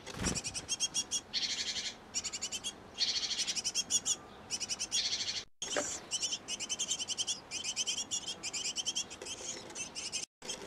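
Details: Long run of quick high chirp bursts from a nest box where a great tit pair feeds nestlings, the bursts separated by brief pauses, with a couple of sharp knocks and short dropouts.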